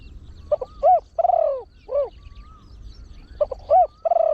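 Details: Trained spotted dove with a deep, big voice uses the rapid 'khan yon 1 kuk' song style to attract wild birds. Quick paired hoots lead into a sustained falling coo and a rounded final note. The phrase is heard twice.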